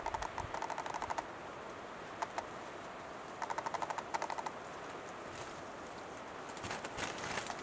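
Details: Wild male western capercaillie showing off in display at dawn: runs of dry, rapid clicks repeated about three times a second in two bursts, separated by quieter pauses, with a brief scraping rustle near the end.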